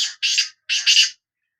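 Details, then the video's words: Black francolin of the Sindhi type giving two harsh, double-pulsed rasping notes about half a second apart, loud and grating, against silence. "Kala Teetar Bulai | Bular | Kala Teetar Voice | Black Frankoline Voice کالا تیتر کی آواز"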